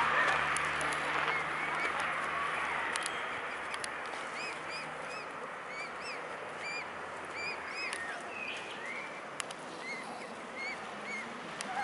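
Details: Mute swan family at Carolasee on 10 June 2016 at 20:30 in the evening; thin, rising whistled peeps with a hooked shape, repeated rapidly and overlapping, over steady broadband background rush with occasional sharp clicks.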